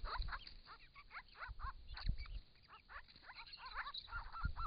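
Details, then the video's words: Wild Grey-crowned Babblers, a group of six bathing at a pond in regional Victoria, Australia, during hot summer weather, camera trap recording; busy, overlapping chattering and looping whistled notes, with splashes and low thuds. "Australian native Grey-crowned Babblers calling and bathing"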